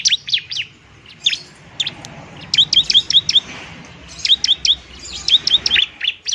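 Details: Lure recording of a bar-winged prinia in fighting mood: short clusters of high, clipped chirps, several evenly spaced series with short gaps between.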